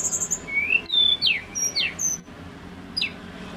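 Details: Short song burst from a male pygmy cupwing: a quick high trill, then several sharp downward-slurred whistles spaced about half a second apart, over low hum.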